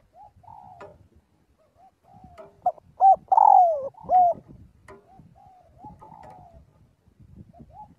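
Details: Spotted dove calling to its flock, a single loud phrase of coos and a descending rolled note amid softer cooing and low clicking and rustling noises.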